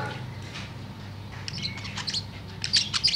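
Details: Tame budgerigar singing in the afternoon: sparse high chirps in the first half, then a brighter burst of sharp twittering notes near the end over a steady low hum.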